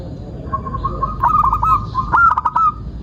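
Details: Local zebra dove singing, played as a lure to set other doves cooing: a soft run of low coos builds into a louder, faster stuttering phrase of hooked notes, then a second brief burst, over constant low rumble.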